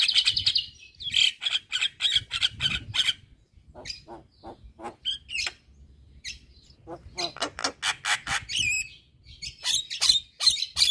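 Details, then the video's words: Javan myna in hard, continuous song said to agitate neighbouring mynas: rapid rhythmic clicking chips in long runs, broken by a brief quieter stretch, then loud buzzy notes again. "Burung Jalak Kebo Gacor Parah Bikin Emosi Jalak Tetangga"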